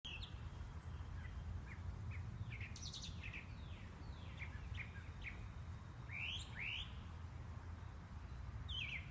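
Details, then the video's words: Birds in a yard chirp with short, high, sliding notes, some rising and some falling, scattered every second or so over a steady low rumble of background noise. "Relaxing Bird Chirping Sounds"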